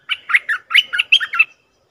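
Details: Bulbul call used as a lure for aggressive wild birds: about seven quick, harsh, chirping notes in a tight burst lasting about one and a half seconds, mid-pitched and slightly squawky, with silence after.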